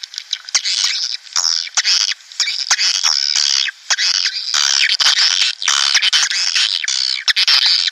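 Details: Swiftlets calling on a track for attracting colonies into a nesting house: loud, dense, grating chatter with long raspy squeals, pausing only briefly between bursts.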